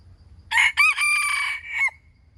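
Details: Wild chicken crowing once: a loud, harsh, harmonic crow lasting about a second and a half, with two short opening notes, then a long, level held note and a brief clipped final flick. A faint low rumble sits underneath.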